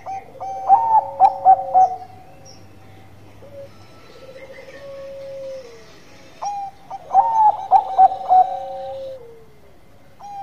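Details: Lively gacor manggung song of a Bangkok-type zebra dove: loud stuttering bursts of ringing coos about six seconds apart, each followed by a long, low, gently falling whistle and quiet clipped notes.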